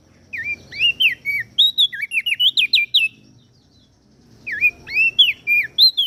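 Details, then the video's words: Lombok cage-bird training recording of common iora and bar-winged prinia: energetic phrases of swooping whistles and rapid chirps, a brief silence, then the song resumes, over faint low hum. "Opior Jambul gacor Mental Juara Masteran Jitu Burung Prenjak Daun Lombok"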